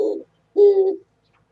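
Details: Oriental turtle dove on 27 January 2017, close by: the tail of one low coo, then a single longer hoarse coo note.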